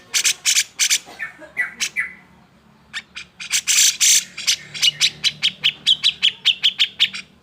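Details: Worked-up grey-cheeked bulbul calling to provoke reluctant birds into singing: harsh rasping bursts and a few short whistles, a brief pause, then a rapid even train of sharp notes accelerating toward the end.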